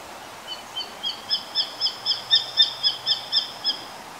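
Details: Hawk, identified as a Japanese sparrowhawk (ツミ), gives a quick series of about thirteen high, sharp kek notes, four a second, growing louder then holding steady, over faint background hiss.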